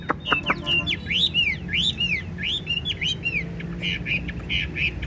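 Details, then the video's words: Chinese hwamei, a 95% tame caged bird, singing a run of looping whistled notes that rise and fall in arcs, ending with quick buzzy chirps. "Đuôi xòe hót không bỏ mỏ, chất giọng cực hay, chim thuần 95% | Hoạt Họa Mi"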